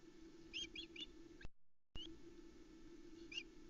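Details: Osprey family calls as the male lands with a small trout at the Loch Arkaig nest camera, 7 July 2020, evening. A quick run of three high whistled chirps, then a single chirp later, over a constant low hum.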